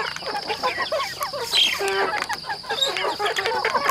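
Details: Chickens on a rural home farm giving a steady run of short overlapping clucks and a few clearer squawks, with a constant high buzzing hum behind the flock.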